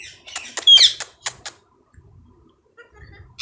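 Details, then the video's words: Hand-tame Indian ringneck parrot kept as a talking pet. Sharp clicks and short harsh squawks come in a quick burst early, one brighter screech among them, then quiet with a loud squawk at the very end. "Mitthu The Best Talking Parrot|| Mitthu Urdu/Hindi bolne wala tota"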